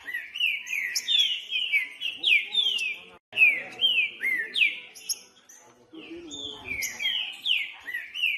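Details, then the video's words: Green-winged saltator singing strongly: series of clear descending whistled slurs, delivered rapidly in phrases with brief pauses between, over quiet background noise. "ESQUENTAR TRINCA FERRO RÁPIDO COM TRINCA FERRO NO MATO"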